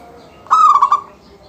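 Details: A single phrase from a local zebra dove in full song, used to prompt other doves to sing: a sustained coo that breaks into three or four rapid throbbing pulses, clear and close.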